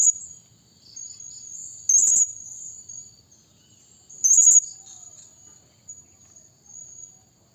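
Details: Two sharp, rapid, very high squeaky bursts from a blue-crowned hanging parrot, used to lure other birds, about two seconds apart, with soft piping notes and a steady thin whine around them.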